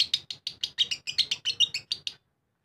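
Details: Lovebird ngekek song, a long chattering outburst of rapid harsh, squeaky notes, about six per second, sustained for two seconds before stopping abruptly.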